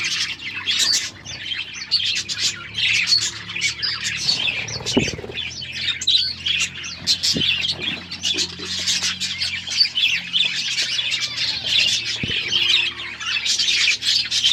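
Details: A budgerigar flock keeps up continuous chirping, a dense mix of high warbles, squeaks and harsh squawks, over a low steady hum with a few thumps.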